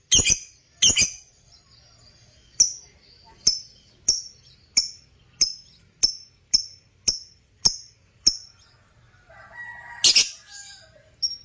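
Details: Steady series of about a dozen piercing, clipped chirps from Parblue African lovebirds in a breeding setup, evenly spaced roughly every half second, then a short pause and a harsher, noisier final burst.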